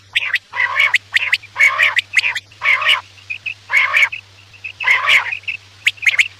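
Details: Quail sounds for night-time hunting: loud, coarse, croaking bursts about once a second, each edged with thin whistles, separated by brief pauses.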